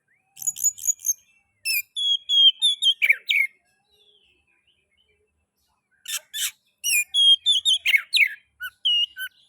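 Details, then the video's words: Oriental magpie-robin song used to stimulate other magpie-robins to sing: bursts of repeated high chirps, whistled notes and harsh buzzy phrases, separated by a two-second pause. "Pancingan kacer ngeplay...cocok untuk merangsang bunyi kacer"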